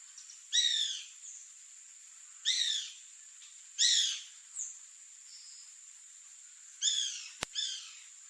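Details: Bananaquit recorded in Bogor: short bursts of high, descending buzzy notes stacked in layers, given in five spaced phrases about every one to three seconds, over a steady high-pitched insect hum and one sharp click.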